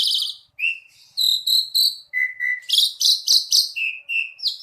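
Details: Asian pied starling singing lively: a varied run of clear whistled notes, some steady and level, others rising, with harmonic overtones, short buzzy bursts and quick repeated chirps in rapid succession; no other sounds.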